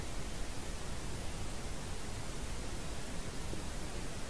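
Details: Steady dense broadband noise like static or strong wind, with no animal sound.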